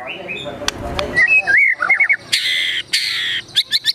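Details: White-rumped shama in agitated gacor emosi song, filled with mimicked besetan, tembakan, sogon and kunti phrases. After noisy clatter come sliding whistles, quick chirps, and loud buzzy harsh bursts repeated twice.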